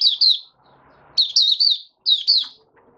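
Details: White-eye (mata puteh), male, in opening song (buka sing), dated 08012022: three bright phrases of high, slurred chirps, the middle one longest, separated by quiet gaps with a faint rustle.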